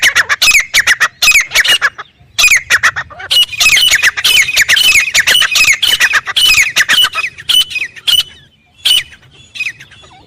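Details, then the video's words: Grey francolin giving a loud wild call: a long run of harsh, ringing squawked notes repeated rapidly in phrases with brief pauses, tapering to scattered notes at the end. "Teetar Ki Zabardast Awaaz | Jungle Mein Original Voice"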